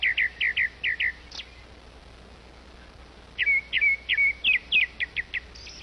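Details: A grey-backed thrush feeding her babies gives a quick series of short, high chirping notes in two bursts, about three per second, with a slight rise at the end.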